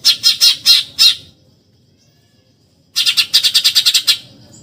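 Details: Eurasian tree sparrow chattering in 'tembakan nyerecet' style, used as tutor material for contest birds: a rapid run of harsh, buzzy notes, a two-second pause, then a longer faster volley of about ten grating chirps.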